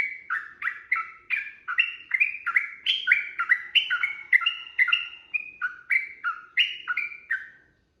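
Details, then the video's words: Sooty-headed bulbul delivering continuous 'ropel' fight song, a lure to provoke replies: lively chattering chirps in quick succession, each note stepping down in pitch, keeping an even fast pace throughout. "trucukan gacor TARUNG ROPEL PANJANG pancingan trucukan agar bunyi jadikan burung trucuk gacor NYAUT"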